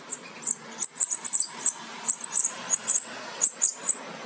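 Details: Goldfinch nestlings near fledging, offspring of a Major aminet carrier and an ancestral Parva; soft, very high squeaky peeps repeated in small clusters against a quiet background.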